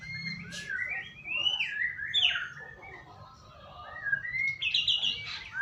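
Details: White-rumped shama lure song to encourage singing: a flowing string of slurred whistles rising and falling, ending in a burst of high, sharp, rattling notes.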